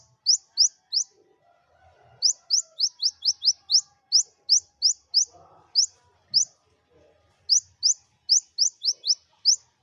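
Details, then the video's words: Bursts of sharp, rising high-pitched chips from a kept Olive-backed sunbird, used to lure reluctant birds into singing, come in quick runs separated by brief silences, with faint rustling below. "Kolibri Ninja Buka Paruh Materi Sejalur Cocok Buat Pancingan Burung Malas Bunyi"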